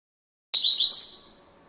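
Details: Rusty-collared seedeater (coleiro) from Brazil singing a classic-style song: a single brief, high, bright trill-like phrase that rises slightly and fades out, in a quiet setting.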